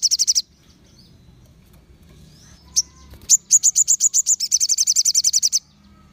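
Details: Crimson sunbird song used to draw other sunbirds into singing: a brief burst of high notes, a pause, then a rapid rattling trill of high, evenly spaced notes lasting about two seconds.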